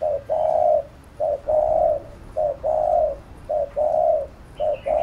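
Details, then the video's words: Spotted dove giving repeated cooing, used in bird training: low hollow phrases of a short coo then a longer one, repeated steadily about every second, clear and loud. "Cu Gáy THÚC GÙ Siết Bổi Đẳng Cấp/ Kích Mồi Tập Bổi Căng Đét"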